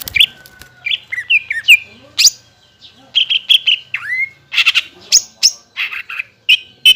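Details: Song of a greater green leafbird played to prompt other leafbirds to answer, including newly caught and group-kept birds: varied loud whistles, sweeping slurs and harsh chattering notes delivered in quick, irregular succession with brief pauses.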